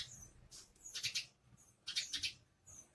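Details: Foraging sparrows make two quick clusters of sharp, high chirps, with a few thin, faint tweets before and after, over a low murmur.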